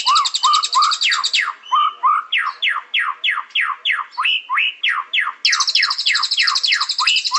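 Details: White-rumped shama singing: a fast series of steeply falling whistled notes repeated about three times a second, low upswept whistles, and bursts of a high, dense buzzy trill at the start and end.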